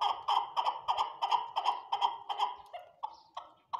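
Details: Chukar partridges on a partridge farm: a quick regular series of clipped chuk notes, about three per second, slowing and fading in the final second into spaced, lower notes.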